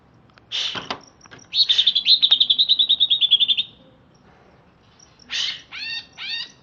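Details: Just-bathed captive greater green leafbird of Alas Purwo origin: a harsh note, then a long rapid rattling trill of about twenty pulses. It closes with a rasp and two buzzy notes with sweeping overtones.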